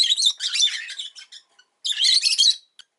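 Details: Rosy-faced lovebird kept as a pet, chirping in a long run of rasping, high chattering notes, then a pause and a second loud grating burst.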